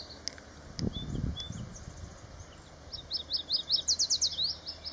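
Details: Yellow warbler male singing on its territory, southern Maine, June 2024: after a few faint high chips, a rapid run of bright, sweet, high-pitched notes sung in a quickening series near the end, with low background rumble.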